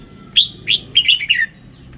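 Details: Red-whiskered bulbul singing one short rollicking phrase: two slurred whistles followed by a rapid descending cascade of warbled notes, with faint background hum.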